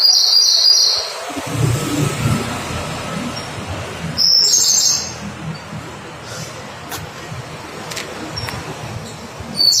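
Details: Siberian blue robin (Larvivora cyane), a migratory songbird, gives three short, high, bright trilled song bursts spaced a few seconds apart, over a steady low rumbling background.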